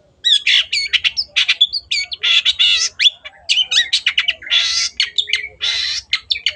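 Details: Long-tailed shrike (cendet) in lively, full song used as training audio for caged birds: dense harsh chattering and squawky notes mixed with quick whistled phrases and buzzy bursts, nearly continuous for about six seconds.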